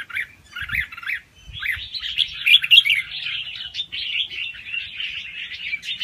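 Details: Red-whiskered bulbul, young and wild-caught, singing quickly with doubled phrases to stimulate other birds; a few separate chirps in the first second lead into a dense, continuous warbling run.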